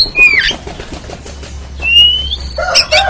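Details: Oriental magpie-robin (kacer) ngeriwik-style training song: a clear rising whistle, a second long upslurred whistle, then a harsh, buzzy, noisy burst at the end over a low steady hum.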